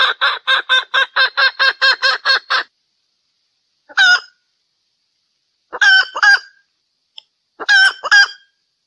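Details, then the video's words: Hen during mating, valentine season: a quick burst of about ten harsh clucks, then a pause and scattered louder squawking notes, some doubled, with silence between them. "Hen Mating Sound - Happy song during valentine season"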